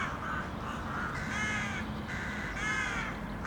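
Several crows give harsh, nasal caws in quick overlapping bursts, about five or six in three seconds, over a steady low city rumble.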